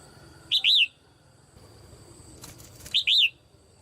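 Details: Caged female Red-whiskered bulbul calling to stimulate other birds to sing loudly: two short phrases of two or three bright, arched whistled notes about two and a half seconds apart, over a steady high-pitched hum.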